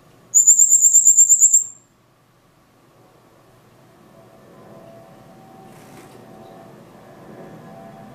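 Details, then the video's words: A silil sings one quick, very high trill of about ten thin, evenly spaced notes lasting just over a second, followed by a faint low room hum. "Canto de pájaro silil"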